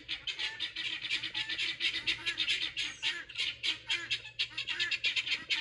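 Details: Excited pearl guineafowl kept for garden pest control, calling loudly: rapid harsh rattling squawks in pulsing bursts, several birds chattering together over a constant grating din.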